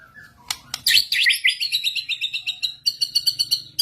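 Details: White-rumped shama singing while other shamas join in, lured with a master recording; a few high clicks, then a loud burst of rich warbled notes followed by a run of rapidly repeated sharp, bright chips.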